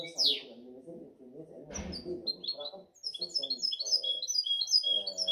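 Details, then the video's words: A 7-month-old European goldfinch hybrid sings quick, liquid twittering phrases of high, bright notes over low background voices. "Mi mixto de jilguero"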